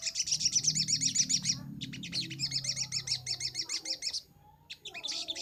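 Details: Brown-throated sunbird singing hard on a master recording for training birds: long runs of rapid high buzzy trills, repeated several times a second, with a low hum beneath, then a short pause and another burst.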